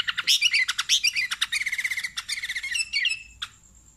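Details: Sooty-headed bulbul in an excited, bubbly chatter: dense run of rapid tumbling notes that settles into an even, quick rattle of lower chirps before fading, over a steady high whine.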